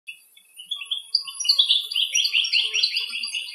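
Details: Common reed bunting in Greece. The singing bird was too distant to record, so the audio may be a composite of other recordings: quick, overlapping high chirps running into a busy twittering stream over a faint high hiss.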